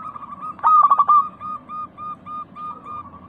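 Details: Zebra dove, local perkutut, on a lure recording for a reluctant caged bird: short clipped notes, then a loud rolling trilled burst, then a steady series of evenly spaced soft coos at constant pitch.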